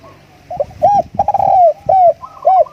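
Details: Short, loud burst from a decoy spotted dove: arched coos, a drawn-out descending note, then one more round coo, over faint low thumping.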